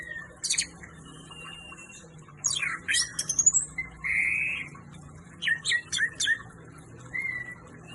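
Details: Orange-headed thrush (anis merah) in lively song: sharp high chirps, downslurred notes and a drawn-out mid-pitched whistle, given in short clustered bursts with brief pauses, a constant low hum beneath.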